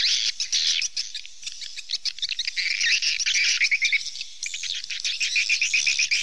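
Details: Busy chorus of swallows with rapid, high chirps and short trilled runs of quick notes, several birds overlapping at about four notes per second.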